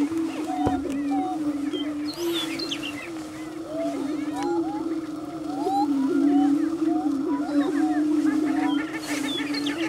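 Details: Lek of prairie chickens in a mating dance at Bluestem Prairie near Dilworth, Minnesota: continuous low humming boom from many males, with frequent short rising whoops and cackles above, and occasional thin high squeals.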